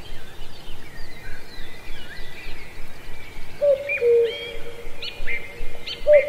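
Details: [['Cuckoo in a lush ancient deep forest at Pallandri, Azad Kashmir: a single two-note cu-coo, the higher first note dropping to a lower one, with a second call starting at the end, over thin chirps and trills of other birds.']]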